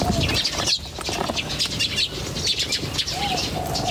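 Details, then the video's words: Birds chirping outdoors in a busy, overlapping chorus of sharp high twitters, briefly dipping near the start, with a soft arched lower whistle near the end and a low rumble beneath. "The chirping of birds in nature is very relaxing"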